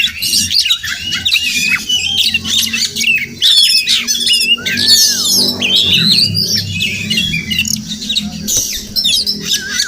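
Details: Wild Oriental magpie-robin (Murai Kampung) near a house in the morning, possibly nesting close by; a mix of harsh squawky notes, sharp chirps and one clear downward-slurred whistle, with a steady low hum in the background.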